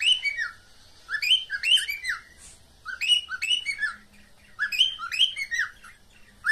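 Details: A pet cockatiel giving a meeting call: bright, rising and falling whistled phrases in bursts of three or four notes, repeating about every two seconds over a quiet room.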